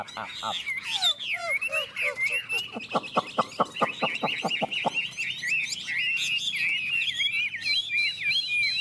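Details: Chinese hwamei song during a contest between two birds. Varied whistles open the clip, then a fast run of sharp, evenly spaced clicking notes, then a long stretch of bright, rapid warbled whistling.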